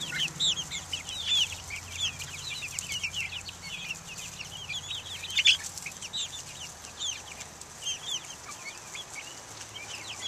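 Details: Chicks of mixed breeds (Buff Orpington, Black Australorp, Americana) taking the air outside in 2010, a chorus of thin high cheeps in rapid overlapping bursts, one louder peep standing out midway, with a soft low drone in the background.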